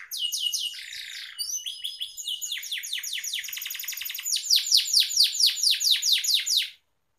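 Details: Pet canary song used in Indonesia as a lure to prompt caged canaries to sing more; bright high-pitched continuous warbling of rapid repeated trills and descending whistled notes, loudest toward the end, in a small room.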